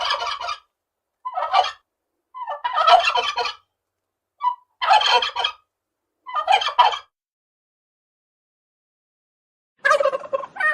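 A turkey gives rapid, rattling gobbles in short bursts of about half a second to a second, repeated six times with pauses between.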